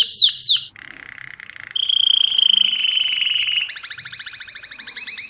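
A mosaic canary sings a varied run: quick falling notes, a buzzy trill, a long steady whistled note, then rapid rolling chirps, all high-pitched and clear.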